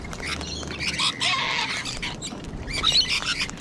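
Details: In Sydney, Australia, sulphur-crested cockatoos alongside rainbow lorikeets let out a long grating screech in the middle, followed by shorter scratchy calls.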